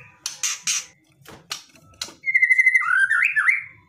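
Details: Provocative aggressive song of a white-rumped shama: several harsh, rasping bursts followed by a sustained whistled warble that wavers, dips and rises in quick ornamented turns.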